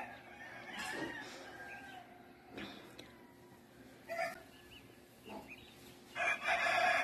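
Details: Dawn in Puruándiro as the sky lightens: roosters crow from a distance, faint drawn-out harmonic calls early on, then a louder, rougher crow closing the recording over soft outdoor background noise.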